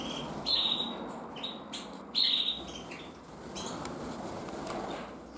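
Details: Red-black intensive canary hen from 2024 giving short, bright chirps, two louder downward-sliding calls standing out near the start and middle, then softer scattered tweets, over a steady low background hum.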